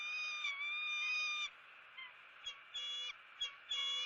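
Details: Eagle raising its young: one long, steady whistled note lasting over a second, then a run of short, sharp whistled bursts spaced irregularly. The background stays quiet.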